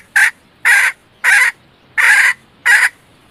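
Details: Hen red junglefowl used to attract males, uttering five harsh, broad notes about two-thirds of a second apart, each lasting a fraction of a second, against a quiet background.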